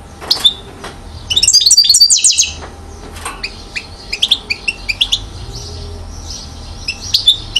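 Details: Acrobatic one-year-old European goldfinch from Mouzaia, Algeria, 2012, singing a lively high-pitched song: a few chips, a sustained buzzy rattling trill lasting about a second, then a steady run of sharp twittered notes roughly three per second.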